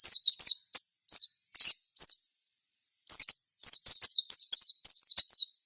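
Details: Sogon chirping to stir other sogon into song: crisp high notes in short bursts, a brief gap near the three-second mark, then a rapid stream of looping whistled chirps.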